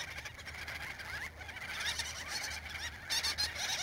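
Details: A busy gull-billed tern breeding colony in central Spain, with adults frantically feeding chicks: many harsh, nasal calls overlap in a constant chatter, with a faint low hum beneath.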